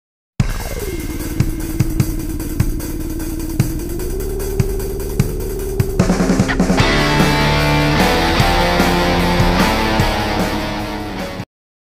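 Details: A falling electronic tone settles into a steady hum with regular thumps, then swells into dense, engine-like music; no animal calls are heard.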